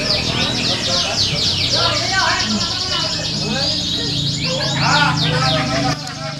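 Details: Canaries singing in a training simulation of a contest. A thick chorus of fast trills and chirps overlaps with clear human speech and a low hum, dropping slightly at the end.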